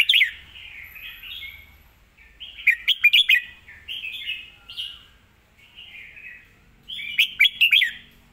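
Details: Well-phrased song from a red-whiskered bulbul: three loud bursts of quick, jumping whistled notes, each with four or five notes, separated by softer slurred warbles, in a quiet setting.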